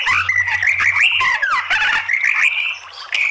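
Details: Female white-rumped shama voice used as a lure to provoke other shamas into singing: rich whistled notes with rising and falling slurs, near-continuous chattering phrases and a steady faint low hum behind.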